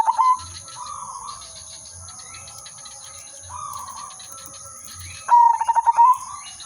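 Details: Zebra dove, silver udanmas, singing in lure style: soft distant coos from other doves repeat for several seconds, then a loud near phrase of rapid pulsed cooing bursts in at the end. A constant high whine runs throughout.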